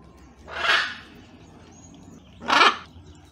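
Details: Wild blue-and-yellow macaw family with their baby visiting for a breakfast of bananas; two harsh, broad raspy squawks about two seconds apart over a low background rumble.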